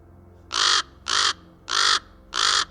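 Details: Common Raven (Corvus corax) giving four harsh, hoarse caws, each about a third of a second long, spaced roughly every two-thirds of a second over a faint low hum.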